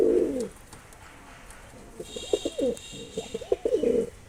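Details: Mosaldom pigeon, a domestic pigeon breed, opens with a loud, low rolling coo. After a short pause comes a stretch of broken, throaty cooing notes in uneven pulses over a quiet background.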